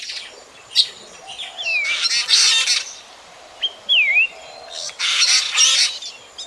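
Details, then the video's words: Black drongo calls, in a 2024 recording made for night bird trappers: bursts of harsh, scratchy chatter alternate with slurred V-shaped whistles that dip and rise, three or four phrases over several seconds. "Tiếng chim Chèo Bẻo kinh tế"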